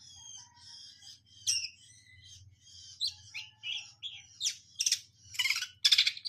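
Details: Long-tailed shrike (cendet) from Indonesia singing a varied medley of high whistled and scratchy notes, building to louder harsh bursts near the end, over a low steady hum in the first half.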